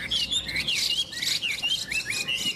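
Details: Caged Chinese hwamei with yellow beak, legs and plumage, hung from a peach tree on a sunny, windy day, singing a run of clear warbled whistles that loop up and down, with short gaps between phrases.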